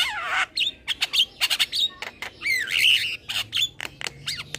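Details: Master recording of a young male Javan myna, a keen caged singer that bobs its head: a dense, rapid medley of squawks, whistles and sliding notes that rise and fall.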